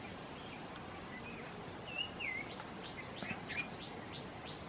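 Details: Baya weaver with chicks, in a brief outdoor recording: a few thin, sliding chirps, then a quick run of short, high, evenly spaced notes over steady background hiss.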